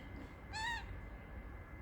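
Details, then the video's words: A bored pet male parrotlet on a warm afternoon, making funny noises and calling for its owner, gives one short, slightly rising nasal call about a quarter second long, over a low room rumble and faint steady whine. "parrotlet feeling bored, making funny noises, calling mommy"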